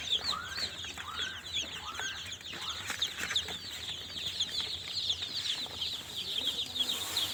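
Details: A brood of newly hatched chicks peeping constantly in high, short chirps, with a few lower, arched calls near the start and steady background hum.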